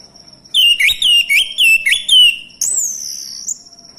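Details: Male orange-headed thrush used to provoke other birds into song: a run of five loud, clear whistled notes, each rising then sliding down, about two per second, ended by a long high whistle slowly descending.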